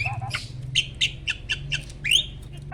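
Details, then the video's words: Asian pied starling, an adult male ready for mating and pumping in display: short harsh chirps repeated about every quarter second, ending in a louder rising whistle, over a low background hum. "BURUNG JALAK GACOR MOMPA-MOMPA!!! JANTAN TULEN."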